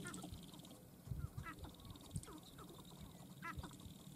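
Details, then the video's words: Sharp-tailed grouse at a dancing ground give a few scattered, ringing cackles with stacked overtones, most prominently near the middle and toward the end, among low thumps and soft clucks. "Sharp-tailed Grouse Dancing Ground"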